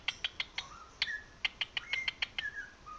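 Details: A pet cockatiel sings along to another cockatiel's song playing from a video: about a dozen sharp, bright chirps in quick succession, mixed with short rising and falling whistled notes over a quiet background.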